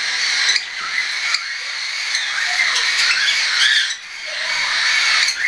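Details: Tame young cockatiels recorded 10 September 2012, both weaned and still hand-fed birds; a busy wall of scratchy squawks and high chirps from several birds, with one brief lull near the end.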